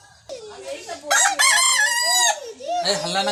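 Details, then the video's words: Desi rooster in India crowing: a loud, long, harmonic cock-a-doodle-doo that swells in the middle and trails into a falling tail, with softer clucking before it and another crow starting at the end. "Rooster Crowing Compilation | Sound Of Roosters | मुर्गा की आवाज | Cock Sound Compilation Desi Murga"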